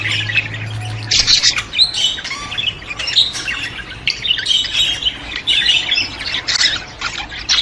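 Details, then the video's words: Budgerigar sounds played to stimulate budgies: dense overlapping warbling chatter with squawky bursts, mostly high and bright. A low steady hum runs through the first second, then the chattering continues without a break. "اقوي صوت يساعد على تحفيز طيور البادجي"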